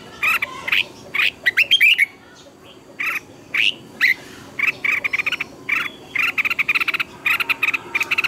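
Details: Red-whiskered bulbul singing intensely, offered as a decoy voice to train other birds; dense runs of loud chattering, slightly harsh notes in fast clusters, broken by one short pause.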